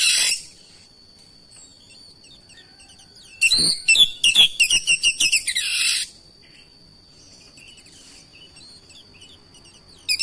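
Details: Magpie-robin roused by another singing magpie-robin: a burst of rapid, bright whistled notes and chattering trills lasting about two and a half seconds, set against a faint steady high tone and long quiet stretches.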